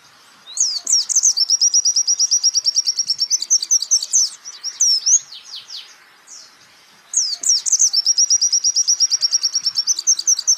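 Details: High, thin white-eye song played to train songbirds: a quick rising note launches a long machine-like trill of about three notes per second bursts, followed by scattered falling whistles and a pause before another trill.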